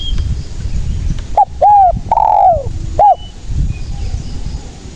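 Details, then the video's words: Spotted dove cooing, recorded as a trapping lure: two short hollow coos, a long loud descending croo and a closing coo, clear against soft low noise. "SUARA BURUNG TEKUKUR GACOR INI PALING AMPUH UNTUK PANCINGAN DAN PIKAT DERKUKU MALAS BUNYI"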